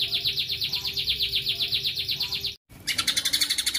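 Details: White-rumped shama song in a combination of bursts: a fast run of identical ringing notes, about four a second, then a cut to a brighter, buzzier rapid series.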